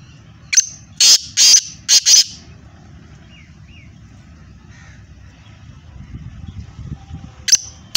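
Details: Black francolin (kala teetar) from Hyderabad, Sindh, giving a harsh, grating burst of about five loud, rapid notes. Then a quiet rural stretch with faint distant chirps, and two more sharp notes at the end.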